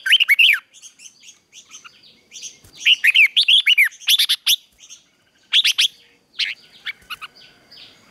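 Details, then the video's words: Red-whiskered bulbul fighting song, a morning training recording: lively chattering phrases of slurred, arching whistles repeated in quick bursts, with soft high chirps between phrases. "Luyện chào mào hót sáng | chào mào hót đấu"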